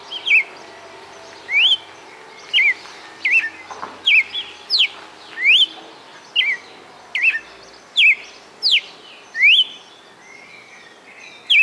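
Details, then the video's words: Red-cowled cardinal, a caged bird kept in Fortaleza, Ceará, Brazil, singing a song said to hold over twenty notes: clear whistled, rising and falling slurred notes repeated about once a second, with faint low hum behind. "Galo de Campina "o canto perfeito""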